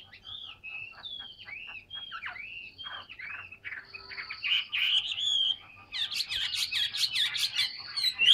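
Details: Large, fully tame caged Chinese hwamei singing a lot: a run of clear slurred whistles, several swooping down then up, then a faster, denser burst of varied rich phrases. A faint steady high whine sits behind.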